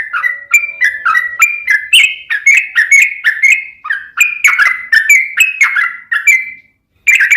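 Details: ['Yellow-vented bulbul (trucukan) in loud, fighting-style rapid song, used to prompt another bird to answer: a continuous string of short chattering, bubbly notes about two per second, with a brief break near the end.']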